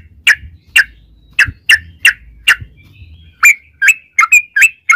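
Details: A lure song of the yellow-vented bulbul, meant to make other bulbuls sing: spaced bubbly chirps that speed up into quicker, brighter notes, over a faint low rumble.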